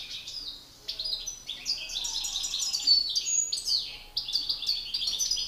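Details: Singing duel between male European goldfinches, a master bird facing an agitated rival: continuous high twittering with tinkling notes, buzzy rolls and quick slurred chirps, barely pausing.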